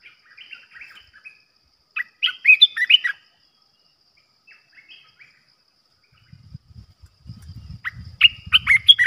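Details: Caged olive-winged bulbul used as a trapping decoy gives bursts of liquid, warbling chatter. A short phrase is followed by a louder bubbly cluster, then a pause, then another rapid rollicking phrase over low rumbling background noise.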